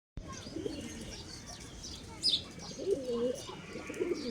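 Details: Domestic pigeons on a farm, two males competing for one white female: low rolling coos at the start and a longer wavering coo near the end, with a brief high chirp between them over faint background noise.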